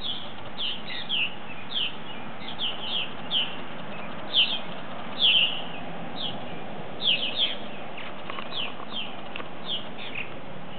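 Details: Ten purple martins settling in for the night, a scattered run of short descending chirps, some in quick doubles, over steady low background noise.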